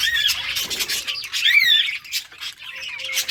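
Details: Budgies at play in summer breeding season: sharp high squawks and twisting warbled chirps from several birds, with a faint steady low tone underneath.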